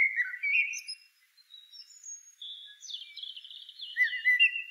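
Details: Blackbird song starting with a rich warbled whistle, then softer, thin high notes, then a long, high, trilling twitter that ends with lower slurred whistles.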